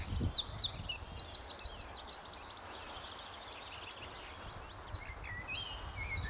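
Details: Eurasian wren, wild, at RSPB The Lodge, Sandy, Bedfordshire, on an early May morning in 2012 before rain: a loud, fast, high trill of rapid repeated notes lasting about two seconds, then quieter chirps from other birds.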